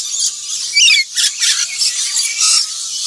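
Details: Black-winged lory giving harsh, high screeching squeals with a brief rising whistled note near the start.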